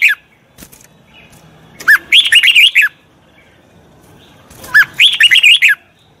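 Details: Red-whiskered bulbul singing to train a wild-caught bird: two loud phrases of bright, bouncing warbled whistles, each about a second long and roughly three seconds apart, opening with a rising note.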